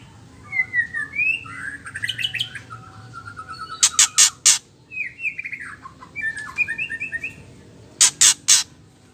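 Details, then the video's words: Female white-rumped shama calling to provoke males into singing: varied whistled and warbling phrases, with a set of three loud harsh rasps near the middle and another three near the end. "Murai batu betina | ketrekan murai batu jahat pembuat emosi bikin gacor keluar isian"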